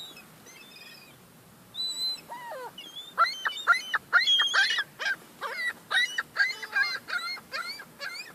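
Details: Young gulls quarrelling over crumbs: scattered thin whines build into a quick, rhythmic run of short downslurred yelps, roughly two per second, with overlapping squeals.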